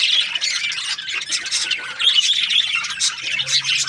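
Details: Australian parrot budgies give harsh, scratchy squawks mixed with quick high chirps in an unbroken busy chatter, with a faint low hum toward the end.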